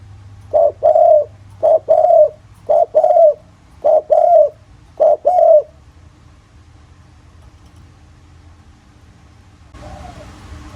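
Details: Thổ-voice spotted dove coo used as a lure to provoke other doves: five paired coos, each a brief note then a longer one, roughly a second apart. Quiet hum follows, then a burst of hiss near the end.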